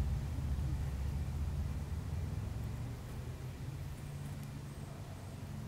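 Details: Low road traffic rumble that slowly fades, with no animal voice.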